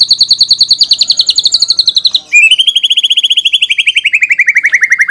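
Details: White-rumped shama song used as a lure to make other shamas answer and as a master training recording: a fast, even trill of sharp notes near 4k sliding down, then a lower, slightly falling rapid trill, loud and clean.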